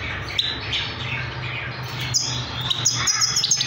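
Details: Trained young Himalayan goldfinch singing: high, thin twittering notes and short whistled phrases scattered through the clip, sharper bursts near the end, over a steady low hum.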